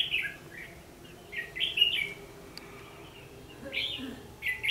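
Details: Red-whiskered bulbul fighting song used to lure birds into a trap, 14 December 2015; several bright, slurred whistled phrases repeat with short pauses over a low background hum.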